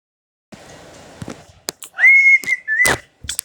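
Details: Pet cockatiel whistling a tune called September: after a second of hiss and clicks, one clear, high whistled phrase rises sharply, then holds a steady level tone with a small dip near the end.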